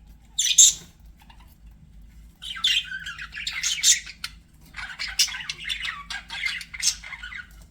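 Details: Pet budgies chattering in scratchy, warbling bursts of high chirps, one short call first, then two long runs of mixed squawky notes separated by brief pauses.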